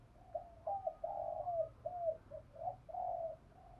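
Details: Spotted dove calling in the morning, used as a lure for decoy birds, heard quieter over a steady low hum: a string of mellow coos, a drawn-out sliding note and several shorter hooting coos.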